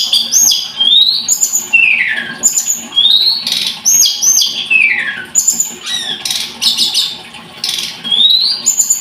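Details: Scarlet-headed flowerpecker song, a busy stream of thin high whistles mixed with downward-sliding slurs and brief rasping bursts, delivered almost without pause.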